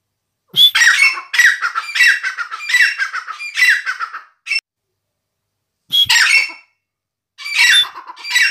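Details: Tame caged grey francolin (dakhni teetar), 560 g, calling in loud harsh squawking bursts with strong upper overtones, a run of rapid notes then shorter bursts after a pause.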